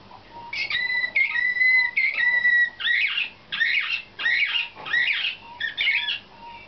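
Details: Canary of nightingale-song type in contest training sings long, pure whistled notes, then bursts of rolling, bubbling trills about every half second; no other sounds intrude.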